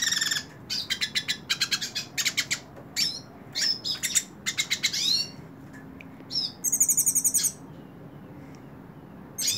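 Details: Held in the hand, a hooded siskin delivers fast high chattering phrases of repeated notes, then pauses and ends with a bright stuttering trill and one more short burst.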